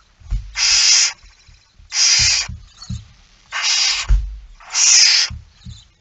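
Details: Barn owl at the nest while being fed, early morning 19 September 2019: four drawn-out rasping hisses about 1.5 seconds apart, with sharp low knocks and thumps from movement between them.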